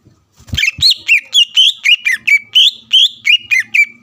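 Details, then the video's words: Greater green leafbird in full song meant to provoke a rival into answering; quick rhythmic run of sharp whistled, slightly warbled notes, about four per second, after a pair of faint low knocks at the start. "CUCAK IJO GACOR MEMANCING EMOSI LAWAN AGAR LANGSUNG BUNYI"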